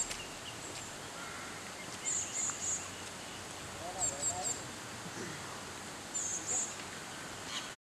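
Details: A juvenile great tit in a hotel garden in Manali, Himachal Pradesh, India, gives three brief clusters of thin, very high, quick chittering notes, about two seconds apart, over a steady outdoor hiss.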